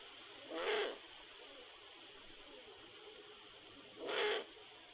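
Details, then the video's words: Eurasian eagle-owls courting during the 2022/2023 season, a new male with a widowed female. Two short calls about three and a half seconds apart, partly buried in steady hiss. "Výr velký (Bubo Bubo) námluvy 2022/2023, Eurasian Eagle Owls courting"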